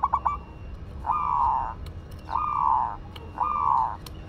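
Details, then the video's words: Local Madura zebra dove singing: three drawn-out, steady mid-pitched coos, each about two-thirds of a second long and spaced just over a second apart, opening with a few short soft notes. "Perkutut Lokal Madura Gacor"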